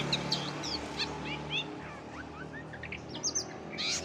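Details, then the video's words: Long-tailed shrike singing a compilation of other birds' songs, used to tutor contest songbirds: scattered short chirps and quick upslurred whistles at irregular intervals over a steady low hum and background hiss. "CENDET FULL MASTERAN SUARA KOMPILASI BURUNG LAIN"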